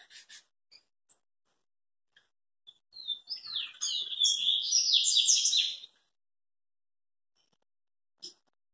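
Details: Tico-tico (rufous-collared sparrow) male, aroused by nearby females and ready to fight. He gives a brief whistle, then a bright cascade of quick, high, falling notes for about three seconds. Faint clicks come before and after in a quiet setting.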